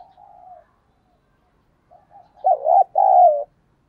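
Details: Decoy spotted dove cooing to lure wild birds: soft far coos at first, a few quiet notes, then a loud nearby phrase of a quavering coo and a longer falling hoarse coo.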